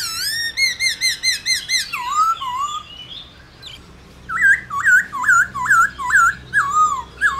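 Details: Black-throated laughingthrush in réo song used to excite other laughingthrushes: a rapid run of bright ringing notes, two slurred whistles, a quiet pause, then a quick train of looping whistled phrases.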